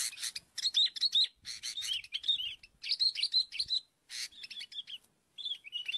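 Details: Sooty-headed bulbul heard while birds are being lured: bursts of sharp chirps and bubbly warbled notes in runs of about a second, separated by short silences.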